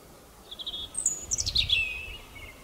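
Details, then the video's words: Singing European robin delivering a short phrase: soft high notes, then a rapid tumbling cascade of thin, very high whistles descending into a fading twitter, with faint low rumble beneath. "European robin (Erithacus rubecula) - Singing - Rotkehlchen"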